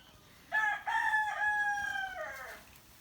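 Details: Morning crow of a rooster among other crowing roosters and birds: a single loud crow lasting about two seconds, a broken start, a sustained middle tone and a falling tail, with faint noise behind.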